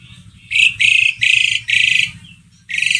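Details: Asian pied starling singing to stimulate another bird: four harsh, buzzy, grating bursts each about a third of a second long, evenly spaced, with a low hum beneath.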